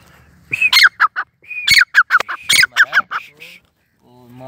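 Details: Grey francolin, known locally as Sindhi or Irani teetar, calling: loud, harsh, ringing notes in quick bursts, with a short gap and then a second run of strident repeated phrases, ending in a quieter rustle.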